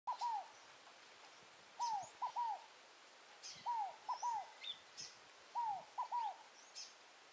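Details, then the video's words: Wild scaled dove (rolinha fogo-apagou) singing in Tupi Paulista, São Paulo, Brazil: a soft three-part cooing phrase, a long down-slurred note followed by a short note and another down-slurred note, repeated about every two seconds, with faint high chirps of other birds. "O canto da Rolinha fogo apagou"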